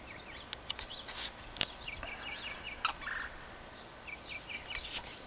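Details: A Limpkin, likely male, in Greenacres, Florida, on 24 May 2015 gives runs of quick, harsh, rising-and-falling notes that sound almost like gobbling, broken by sharp clicks and knocks; it had earlier made a very loud call.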